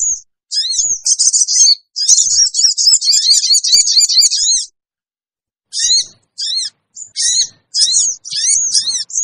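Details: Sogon lure recording to attract wild birds: a dense run of high, twittering warbles, a pause, then separate sharp chevron chirps.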